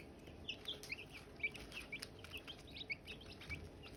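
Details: Silkie chicks, possibly newly hatched, peep in short, high, sharply falling chirps, several birds overlapping about three or four times a second, over a soft steady hiss.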